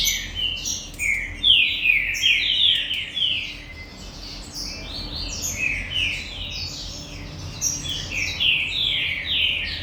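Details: Caged green-winged saltator of galador song style at a breeding farm, delivering bursts of loud, clear whistled phrases, each note slurring downward, in two main bouts separated by a quieter stretch.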